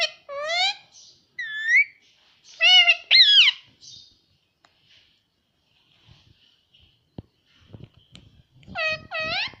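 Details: Talking pet parrot saying "mummy" and "papa" in a small room: several arched, voice-like syllables early on, then a long quiet stretch with faint clicks, and a final pair of rising-falling syllables.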